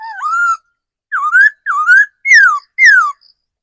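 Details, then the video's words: Forest-bred mature laughingthrush kept as a decoy, singing one dipping then rising whistle, a pause, then four loud rich whistled phrases, the first two upslurred, the last two sliding downward. "Tiếng chim khứu mồi già rừng"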